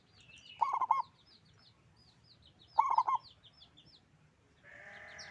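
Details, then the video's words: Local zebra dove singing with a big voice: two bubbling, rolling coos about two seconds apart amid thin high chirps of other birds, ending with a harsh noisy burst. "Perkutut lokal gacor suara besar"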